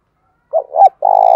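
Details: Spotted dove used as a decoy to provoke other doves to call: a single low coo phrase, two soft wavering notes and then a long, steady, slightly pulsing hoot.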